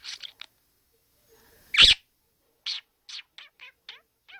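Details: A pet budgerigar that never stops talking chatters in quick, high, scratchy bursts, with one louder harsh squawk in the middle.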